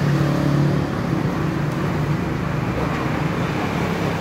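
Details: Steady low road traffic rumble with passing cars and engine hum, with no animal sound heard.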